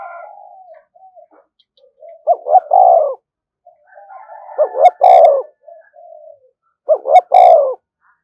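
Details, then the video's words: Spotted dove calling to provoke rival doves. Three phrases of two quick rising notes and a drawn-out falling coo, about three seconds apart, with soft murmuring notes between them and a few sharp clicks. "tiếng chim cu gáy kích bổi"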